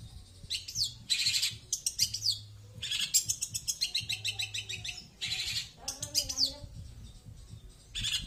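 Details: Long-tailed shrike song: bursts of harsh, buzzy high notes and rapid rattling phrases broken by short gaps, with a faint low hum underneath.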